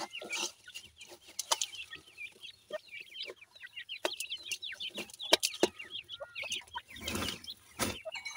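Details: Newly hatched francolin (teetar) chicks, possibly with jora pheasant chicks, give a busy chorus of thin, high, overlapping peeps and chirps, with sharp knocks and rustling from handling.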